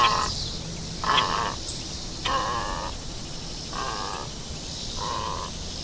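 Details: Great egret giving a series of five rough, guttural croaks roughly one per second. Some croaks are fainter, over constant broadband noise.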